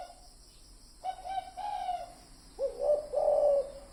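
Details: Low cooing of a spotted dove on a lure recording: soft opening coos, then a stronger rising-and-held coo phrase, with faint insect chirring behind.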